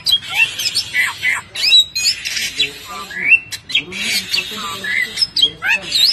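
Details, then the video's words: Caged Bali myna delivering a busy, chattering song of harsh rasping notes, upslurred whistles and sharp clicks packed tightly together, almost continuous over several seconds. "Jalak Bali sultan"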